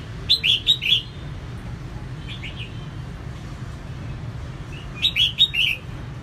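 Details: Red-whiskered bulbul hen in captivity, singing to stimulate males into song: two loud bursts of four bright, slurred whistled notes at start and end, with a fainter softer phrase between, over a low steady hum.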